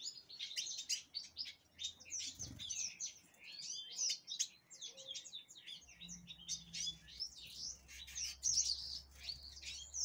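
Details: Captive-bred Angolan black-throated canary, subspecies impriga, hatched 6 December 2023, pours out a long, dense, sweet warble of rapid high notes, trills and slurs for ten seconds over a steady low background hum.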